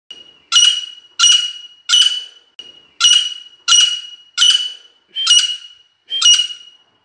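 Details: Female Sindhi partridge (teetar) call used for partridge hunting in the jungle: a series of eight harsh, ringing notes repeated about every three-quarters of a second, each a buzzy burst over a steady high tone, with no other clear sounds.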